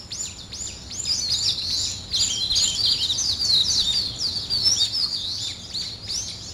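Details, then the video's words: Birds at morning wake-up: a few clear arched whistles open, then a thick, high jumble of quick chirps and twitters from several birds. "아침을 깨우는 새소리 2 ,Birds wake up in the morning 2"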